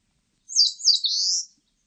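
An Eastern crowned warbler gives one high, thin phrase of about a second: two quick slurred notes, then a longer buzzy note. There is no other sound.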